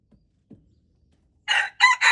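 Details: Red junglefowl, February 13, 2025: after a quiet start, the opening of a crow arrives as three loud, rasping syllables in quick succession, cut off at the end.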